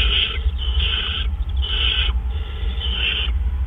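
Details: Owl delivering a food item at 4:03 AM, April 12, 2013. Four loud, coarse hissing screeches, each lasting about half a second, with a low mechanical hum underneath.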